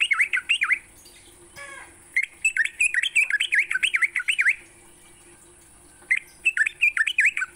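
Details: Sooty-headed bulbul morning song for training songbirds: bursts of fast, harsh, swooping chirps in rolling runs separated by short silences, with a faint rustle and a steady high background tone.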